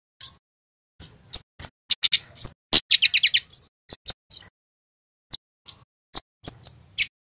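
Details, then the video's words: Red male Scarlet-headed Flowerpecker from Java in cit keres song: sharp, very high clicks and chirps, a dense run of stuttering ticks near the middle, and a silent gap before sparser shrill notes. "Suara burung KEMADE cit keres FULL GACOR"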